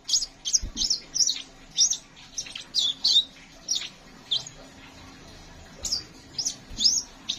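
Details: Sunbird called kolibri ninja, singing with a long rolling delivery: rapid sequences of thin high chips and short slurred notes, tightly packed at first, then more spaced with a brief quiet gap before resuming.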